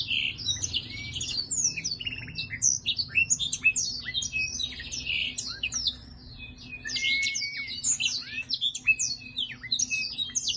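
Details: A Black-throated laughingthrush singing while displaying gives a dense, fast stream of high chattering notes, short slurred whistles and rasping buzzes, with a faint low hum underneath.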